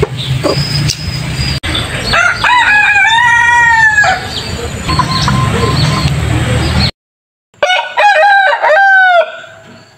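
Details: Roosters crowing in a peaceful village in the countryside, several drawn-out cock-a-doodle-doo calls, one loud close crow near the end after a brief silence, with clucking and low rumbling background noise.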